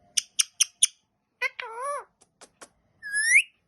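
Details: Green pet parrot vocalizing: four quick clicking notes, then a wavering, nasal, voice-like sound, a few soft ticks and a rising whistle at the end, with a person's voice nearby.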